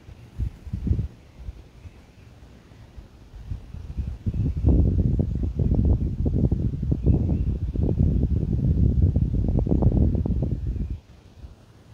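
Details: Only low, gusty wind and handling rumble are heard, building after a few seconds and dropping away near the end, with no clear animal voice.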